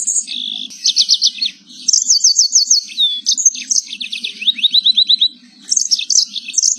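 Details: Canary singing a long, lively song used as a master recording to train other canaries and to help birds that will not sing. Rapid high trills, repeated ticking bursts and rising notes run without pause, with a faint low hum underneath.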